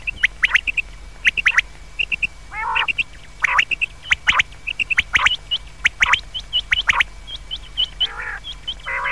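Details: Common quail at night giving sharp, liquid three-note calls, each clipped note snapped out in rapid triplets, repeated about once a second, with an occasional rough, nasal growl between phrases and a thin steady whine behind.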